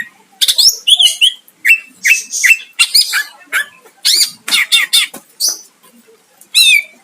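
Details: Continuous song of a greater green leafbird used to provoke a rival, made of clipped chips and short slurred whistles that repeat in quick phrases, ending after a brief pause with a final descending whistle.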